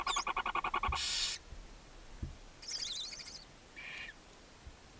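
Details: Seven barn owl owlets fed by their mother in a chimney-side nest box, Ságvár, Hungary, May 4, 2024; a quick run of pulsed chatter gives way to a rasping hiss, then shorter wavering squeals.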